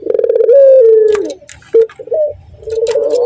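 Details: Male Barbary dove in breeding condition facing a female: a trembling low coo slides into a long, gently falling note. Two short clipped notes follow, then another wavering coo begins.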